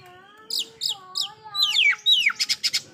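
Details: Loud oriental magpie-robin song, its filler phrases meant to agitate other magpie-robins: a few quick high chips, then sweeping downward whistles and a fast run of staccato notes, over a faint steady low tone.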